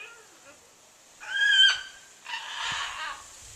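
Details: Large pet bird kept on a back porch, crying on and on for well over ten minutes, recorded January 4, 2014: a loud harmonic cry of about half a second, followed by a hoarse, rasping burst.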